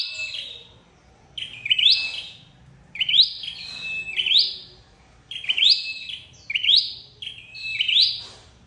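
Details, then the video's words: Trapping lure of a red-headed flowerpecker: six or seven rapid high phrases, each a quick rising sweep trailing into a flat thin tone, spaced about a second or so apart. "Tiếng chim sâu đầu đỏ đi bẫy"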